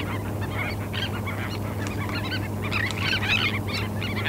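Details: Tern colony on a sandspit, Murrell's Inlet, SC, 04/08/2017, parabolic recording: overlapping grating, downslurred calls that build in intensity toward the end, continuous low hum underneath.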